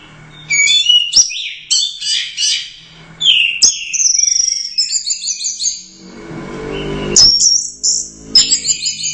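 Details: Orange-headed thrush, a first-place competition winner at the Royal Cup, singing a long energetic sequence of high, rapidly stuttered whistled notes in bursts, with a brief low rumble between phrases.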